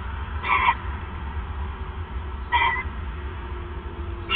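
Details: Owl at night on 28 December 2014 as the male brings his third mouse: two raspy, hoarse bursts about two seconds apart, with a third starting at the end, over low hum.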